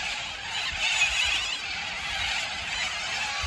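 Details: A flock of little corellas in a tree at a campsite in Karumba, Carpentaria, makes a dense, continuous wash of harsh, screechy calls over a faint steady high hum.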